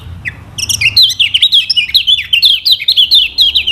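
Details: Lemon-bellied white-eye from Lombok, sung as a lure so other birds learn to sing. After one short note, a continuous brisk high-pitched warble of tumbling, up-and-down notes fills the rest.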